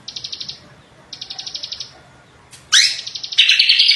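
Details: Greater green leafbird in full, energetic song: two bursts of rapid, evenly pulsed high chips, then loud ringing whistles sweeping upward and a dense run of bright, shrill notes near the end.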